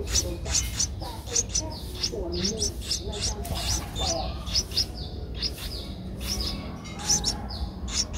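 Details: Streak-eared Bulbul nestling, 11 days old, recorded in Ubon Ratchathani, Thailand on 13 April 2023: long run of insistent high chirps, fast and uneven, some doubled, over a low steady hum.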